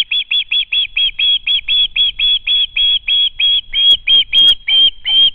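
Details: A young osprey caught sight of a parent and came screaming into the home nest, 12 August 2013: continuous rapid, high-pitched piping screams, around twenty evenly spaced notes, loud and insistent.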